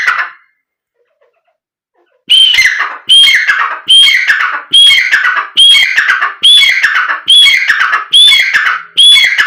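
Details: Black francolin calling, meant to provoke birds into calling and excitement. A brief trailing note fades to quiet, then eight harsh, even phrases follow, each a sharp whistle sliding into a scratchy descending rattle, almost once a second.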